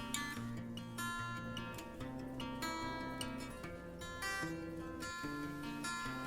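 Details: Plucked string music, gently strummed chords with ringing notes, fills the recording and no animal voice is heard.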